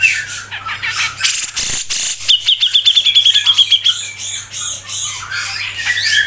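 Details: Grey-cheeked bulbul (cucak jenggot) singing a fast, tight 'ngepik' tutor song for songbird keepers: scratchy chatter, a brief pause, then a rapid string of about fifteen crisp, high repeated ticks and a closing slurred whistle, over a low hum.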